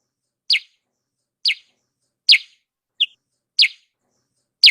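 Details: Sooty-headed bulbul lure sound meant to bring wild birds down: single sharp, downward-sliding chirps spaced about one second apart, with one shorter clipped note among them in otherwise quiet surroundings.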